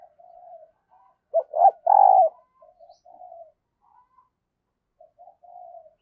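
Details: Spotted dove used as a decoy, calling and cooing to attract fresh wild birds: one strong phrase of two clipped notes and a drawn-out buzzy coo, surrounded by quiet, low murmuring coos.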